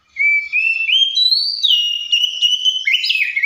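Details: Oriental magpie-robin delivering a long, smooth whistled phrase that climbs in steps, holds steady, then ends with a quick upward flick and a drop.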